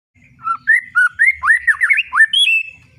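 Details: White-rumped shama (murai batu) singing the loud 'ngeplong' style: a run of clear whistled notes, each sweeping upward, some looping and rising steeply, with a few high thin overtones and no other sounds.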